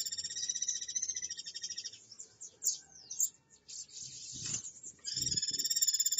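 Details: Guira cuckoo on a Brazilian live camera, 20 August 2011, 15:36 Brasília time: a long, fast, harsh rattle of pulsed notes, a break with scattered chirps and thumps, then the rapid rattle resumes.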